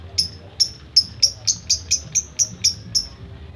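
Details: Lovebird singing in the rapid ticking style locally called kicau ngetik; a string of about eleven sharp, high, clipped chirps, roughly four per second, evenly spaced, with faint low room hum beneath.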